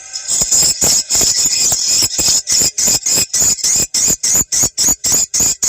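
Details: Swiftlet calls played through a phone or portable speaker to draw swiftlets to a site, tested at morning or evening, ideally as the sky darkens; fast, regular bursts of high, thin chirping pulses, about three or four per second.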